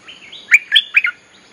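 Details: Bulbul song used to call wild birds: a soft warbled lead-in followed by three or four loud, bubbly, sharply inflected chattering notes.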